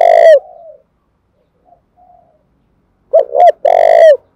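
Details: Spotted dove, Dong Nai, Vietnam, cooing as a lure to excite and train decoy birds: a long coo with a soft trailing tail, faint murmurs, then two fast hooked notes leading into another long descending coo.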